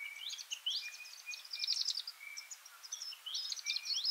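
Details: Varied sittellas in a feeding party at Kinchina or Mannum, South Australia, giving busy high chatter: rapid clusters of thin chipping notes, with long flat whistled single notes, likely from a nearby Singing Honeyeater, running underneath.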